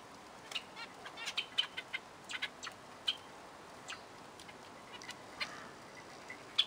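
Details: Zebra finches calling: scattered brief nasal beeps and sharp ticking notes in loose, irregular bursts, with a quiet hiss underneath.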